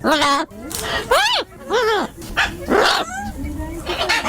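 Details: Macaws recorded in a park called Panachi in Santander, northern Colombia: loud, steeply arched harmonic squawks that rise and fall, given in quick irregular bursts with brief gaps between them.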